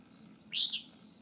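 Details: Wild red-whiskered bulbul facing a trap bird in a fighting trap, described as having a wild forest voice: one short bright whistled phrase rising then slurring down, high-pitched, over a quiet background.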